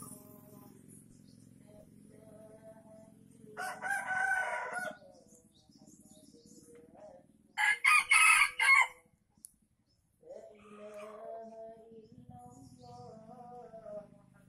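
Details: Junglefowl from Aceh, Indonesia, crowing as a lure for wild birds: two loud, harsh, broken crows about four seconds apart, separated by quiet stretches of soft, level, repeated tonal peeping.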